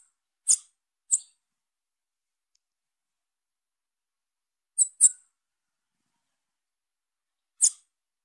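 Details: Young female Bananaquit calling: five sharp, very high, thin chip notes, given singly or in quick pairs with long silent gaps; no other sounds.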